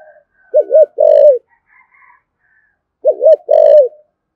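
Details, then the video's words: Spotted dove giving 'thổ sấm' style cooing, described as 'thúc gù' and calling coos: two phrases about 2.5 seconds apart, each a quick wavering double note followed by a longer steady hollow coo, with faint chirps between. "cu gáy thổ sấm THÚC GÙ và gáy gọi chuẩn nhất hiện nay"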